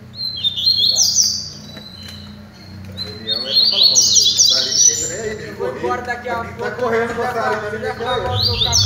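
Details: Double-collared seedeaters at a song training, giving high, quick sweeping whistles in short bursts, followed by lower, rougher, buzzy sounds and a steady low hum in the background.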